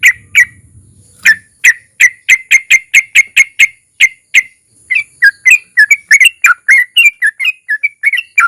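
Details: Sooty-headed bulbul song used as a lure to make other bulbuls sing: a long run of short, sharp whistled notes near one pitch, repeated rapidly, then a faster warbling, chattering phrase.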